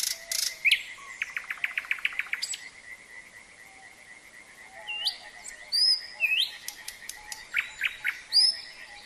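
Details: A Common Nightingale sings varied phrases, a fast run of repeated notes then sharp rising whistles and chirps, over a steady high trilling chorus of frogs.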